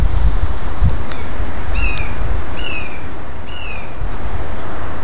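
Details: Young red-shouldered hawks growing up in a back yard; three thin, whistled, down-slurred calls about a second apart, fairly faint under heavy low rumbling noise and a few clicks.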